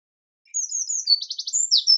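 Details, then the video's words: Eurasian wren singing a loud, very high, rapid song: thin whistles, a fast trill of repeated notes, then sharp ringing phrases, on a clean quiet background. "Sound of Birds: Wren / Winterkoninkje / Troglodytes troglodytes"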